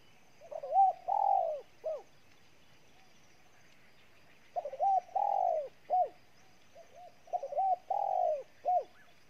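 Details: Spotted dove from Ninh Thuận, Vietnam, a newly caught bird cooing very hard: three loud low cooing phrases, each a quick run of short notes swelling into a long, falling coo, repeated with pauses of about two seconds.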